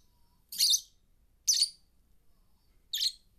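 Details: Two new pet lovebirds resting on a computer chirp in reply to lovebird song played from it; three short, sharp, high chirps spaced about a second apart, in otherwise quiet surroundings.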